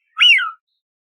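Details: One loud whistled note from a Eurasian wigeon, a bird of ponds and riversides, climbing quickly and then dropping in a falling tail, with nothing else heard.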